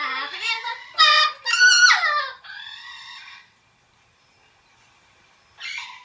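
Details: Ten-year-old male yellow-shouldered amazon parrot, a pet kept indoors, gives loud, harsh, harmonic squawks and chattering calls in quick succession, then falls silent before one last short squawk.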